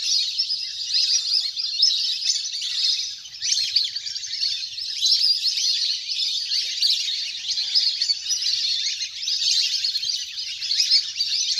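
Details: Wild duck flock, large and playing on water, used as a lure sound to bring birds down; constant high-pitched chatter from many birds, thick and overlapping, with occasional louder surges.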